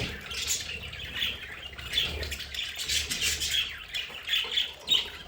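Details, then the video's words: Budgerigars kept as pets in a decorated home play area, a group chattering with scratchy squawks and thin warbled chirps in irregular bursts, faint low hum behind. "Sonidos de budgies para Budgies en casa"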